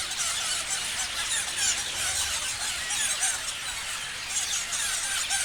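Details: A flock of parrots chirping, with thick layered high-pitched squeals and twittering notes overlapping constantly at an even loudness.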